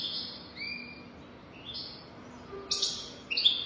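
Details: Recording for teaching young goldfinches: a European goldfinch in golden-throat style gives scattered whistled notes and brief slurred phrases, ending in louder buzzy bursts, against a quiet background.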